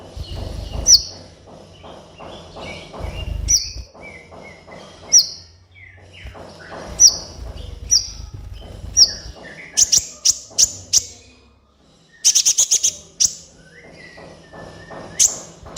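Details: Sunbird (kolibri ninja) song used as a master recording for captive birds: sharp high chips and short rapid stuttering bursts, with quieter twittering and low background hum between phrases.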